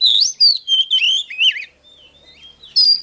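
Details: Oriental magpie-robin giving loud, slurred whistled phrases that wobble up and down. These fade into a soft, quiet murmur, then one bright high note returns at the end.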